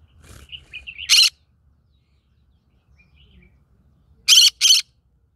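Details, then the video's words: Green-cheeked conure living amid a rice field: light twittering notes lead into a loud, rasping squawk, then after a quiet gap two more harsh screeches in quick succession. "Green cheek conure singing"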